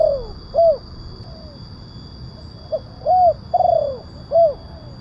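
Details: Spotted dove lure call in the kuk 1 style with a big voice: deep, rounded coos in a short-long-falling pattern, the drawn-out trembling note sliding downward, clean phrases over faint steady background hum.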